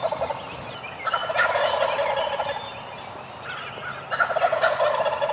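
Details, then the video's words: Wild Eastern turkeys gobbling on the roost on a Tennessee morning: two loud rattling gobbles about three seconds apart, with thin high whistled songbird notes in the background. "Eastern Wild Turkeys GOBBLING THEIR BRAINS OUT on the roost"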